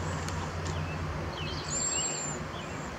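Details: Cedar waxwings give thin, very high, hissing whistles, including one long drawn-out sibilant note in the middle, with a few fainter lower chirps, over a steady low rumble of background noise.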